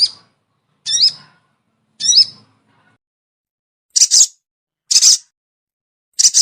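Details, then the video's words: Crested jay lure sound aimed at a sogon that stays high: three squawking notes with curved tones, then three short, harsh, hissing double bursts. "suara pikat burung sogon yg susah turun"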